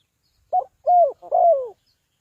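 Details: Spotted dove calling, from Ninh Thuận, the sound used to lure birds into a trap: one clear phrase of a short clipped note followed by two drawn-out, downward-sliding coos, with no other sounds.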